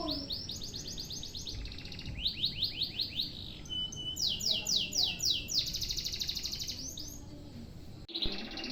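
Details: Canary singing a long unbroken master song: rapid high trills of repeated notes change into bursts of downward sweeps and a buzzy roll, with a brief break near the end.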